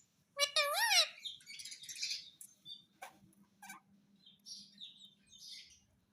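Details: Pet talking parrot opens with a loud wavering screech, followed by softer scratchy chatter and a few clicks that fade into quiet breathy notes. A low hum persists in the background.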